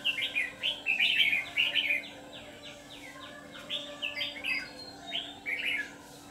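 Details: Red-whiskered bulbul serving as a trapping decoy, white-cheeked, singing in the ché style; loud, lively warbled phrases tumbling in quick succession, followed by a series of softer swooping notes and more bright phrases.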